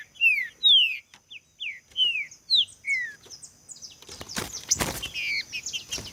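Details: Green-winged saltator song used to get other saltators singing firmly: several sharp, falling whistled notes in quick succession, followed by a loud burst of rustling, clattering noise.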